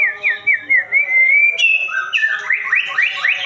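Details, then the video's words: White-rumped shama singing a run of short rising whistles that merge into a long, steady, clear whistle, then rapid upward-sweeping notes repeated about twice a second. "JALUR MURAI"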